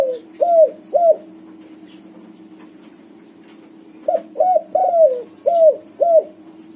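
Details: White-coloured spotted dove singing actively, used as a lure to set silent doves singing: two loud descending coos, a pause of about three seconds, then five more in quick succession, over a steady low electrical hum.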